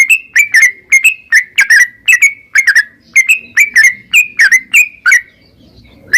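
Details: Stimulating narung ropel song of a yellow-vented bulbul: clear slurred whistles, often paired, repeated roughly twice a second, going quiet near the end before one final note.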